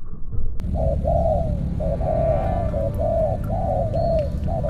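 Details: Spotted dove kept as a new decoy bird for trapping, cooing in a series of soft, low, rounded phrases repeated about once a second, over steady low rumbling background noise.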